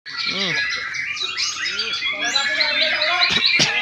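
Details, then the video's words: White-rumped shama (murai batu) in the loud style known as gantang: a dense run of rich whistles and chirps, bright and fast, with several arched, harmonic-rich notes and two sharp clicks late in the run. "gantang murai batu"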